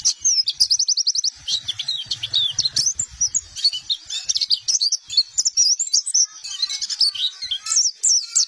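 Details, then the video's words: Busy white-eye song for luring, opening with a rapid series of repeated chirps, then a rich jumble of high whistles, trills and twitters continuing throughout. "Suara Pikat dan Master Kicau Burung Pleci"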